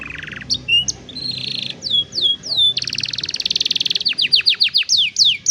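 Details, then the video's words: Canary singing meant to train young canaries: a low buzz, scattered slurred whistles, downward sweeps, then a dense rapid rolling trill followed by repeated rising-falling notes. "Mejor Entrenamiento Para Jóvenes Canarios | Canary Singing"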